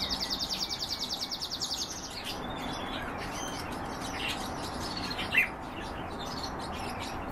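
European bee-eater giving soft, rolling trilled notes and one sharper chirp, opening with a rapid high ticking series over a steady rush of wind-like noise.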